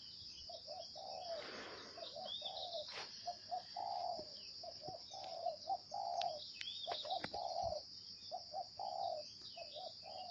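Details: Spotted dove cooing in the 'gáy gù' style. Low mellow coos come in a steady string of short notes and longer slurred ones, with a faint rush of noise near the start and a continuous high-pitched whine behind.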